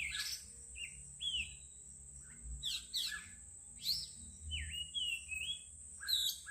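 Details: Birds singing melodiously: varied sharp chirps, short downslurred whistles and rising whistled notes scattered over six seconds, with a steady high insect-like hiss running throughout.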